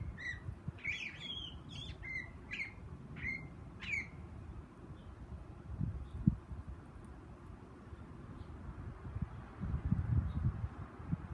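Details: A Steller's jay chirping away in a tree gives about six harsh, raspy squawks in quick succession over four seconds, then falls silent; a steady low rumble of wind runs throughout.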